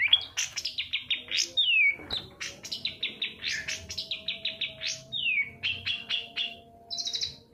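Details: Long-tailed shrike singing as a lure for silent birds: lively chains of clipped, slightly buzzy notes broken by downward whistled slurs, steady and energetic throughout.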